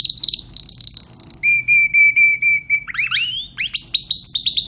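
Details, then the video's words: Timbrado canary song with a high trill, a long pure steady whistled note, then quick rising slurs repeated several times. "canary timbrado"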